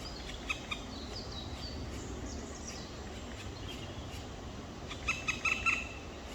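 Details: Black woodpecker chicks, two nestlings, 23 May 2023 around 19:43: faint scattered notes, then a quick run of four harsh, grating calls near the end over steady hiss.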